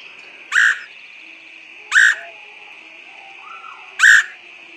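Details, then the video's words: Woodpecker calls used as a bird lure: three loud, sharp, harsh notes about one and a half seconds apart over a steady high-pitched background hum. "PIKAT BURUNG PELATUK SUARA PANCINGAN"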